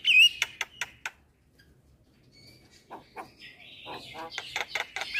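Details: Very vocal Javan myna singing in a training recording for young mynas: a burst of harsh clicks, a pause, then thin whistles and rising buzzy chatter.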